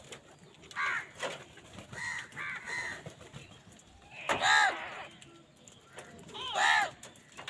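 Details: Angry crows fighting with wild birds for food give loud, hoarse, harmonic-rich caws, a few softer ones early, then two strong drawn-out caws near the end, over rustling outdoor noise.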